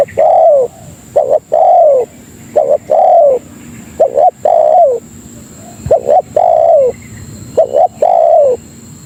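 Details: Tekukur lure call, spotted dove attracting other doves: rhythmic series of low coos, short doubled notes alternating with longer downward-gliding coos, about five phrases, over a faint constant high-pitched hum.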